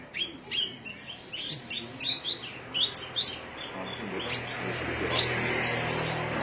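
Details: Cilacap Javan myna delivering a burst of quick, high chirps and twangy whistled notes for about three seconds, then fading to scattered calls over rising background noise and low hum.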